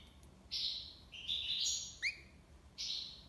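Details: Goldfinch in tiwawati libassad style: a buzzy high note, a stretch of twittering warble, a quick rising whistled slur, then another buzzy high note.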